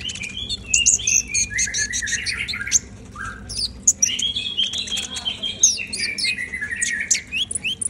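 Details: Brown-throated sunbird (konin) singing energetically: rapid, high, sharp twittering and chirps with quick downslurred notes and short trills in dense bursts, over a steady low background hum.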